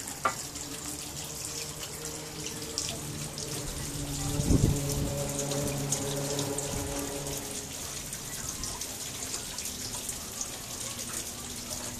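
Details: Running water and a steady low tonal hum fill the recording, with no animal voice standing out.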